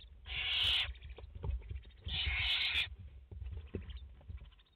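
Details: Two loud rasping hisses, each under a second, from barn owls at a French nest with a mother and four chicks, 30 August 2021, with scratching and light tapping in between.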